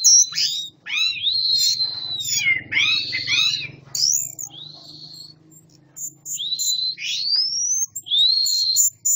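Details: Caged orange-headed thrush from Malang, kept as a songbird, singing classic-style song mixed with chatter: loud high slurred whistles rising and falling, tumbling phrases separated by brief pauses, faint low hum beneath.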